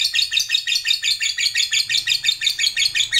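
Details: Long chattering ngekek of a fighter lovebird, meant to provoke rival birds; rapid, harsh, high-pitched notes pulsing steadily around three per second without pause, with a faint low hum beneath.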